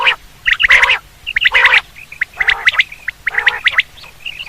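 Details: Quail call for hunting: grating squawks alternate with quick runs of thin, bright chirps, each group about a second apart, several voices overlapping.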